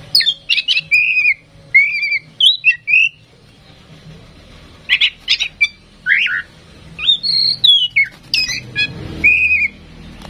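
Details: Female oriental magpie-robin, tame and in full voice, kept to prompt other birds into song: rapid run of sweet whistled notes, chirps and downslurred phrases, with a short pause midway before the varied song resumes.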